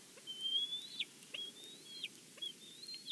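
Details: Faint, thin high whistles from a bald eagle at the Big Bear nest on a live nest cam, three drawn-out notes that rise gently and then fall, over a soft background hiss.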